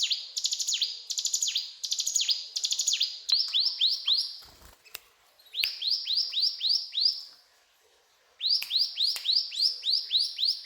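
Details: Mountain tailorbird switching song patterns: first chirp bursts with falling swoops, then fast series of rising, upward-sweeping notes, with a loud knock and a silent gap between.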